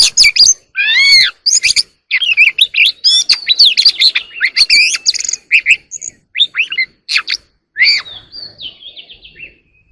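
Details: Oriental magpie-robin singing early in the morning: a varied, loud run of sweet whistles, slurred rising notes and harsh chatters, delivered in quick, irregular bursts with no other sounds.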